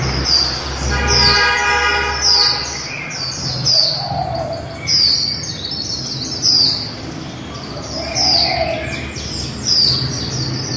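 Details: Female white-eye líu singing: a steady series of high, thin, falling whistles about every one to two seconds, mixed with a lower chatter and a brief buzzy tone near the start.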